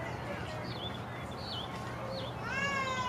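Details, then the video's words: Peacock at the Statue of Unity Jungle Safari, dancing, gives one loud, rich, harmonic wailing note near the end, over a background of varied high chirps and twitters from other birds and a low hum. "Beautiful Peacock Dance & Sound Natural"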